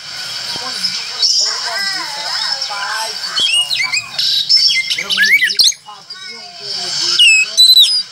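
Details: Oriental magpie-robin singing energetically: dense scratchy chatter and rapid mimic-like warbling, a loud burst of swooping notes midway, then crisp upward whistles at the end, over persistent high hiss.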